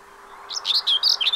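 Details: Common whitethroat in the Séné nature reserve, Morbihan, France, in spring, 15 April 2023: a brief, rapid string of high scratchy chattering notes, close and clear against a low background hum.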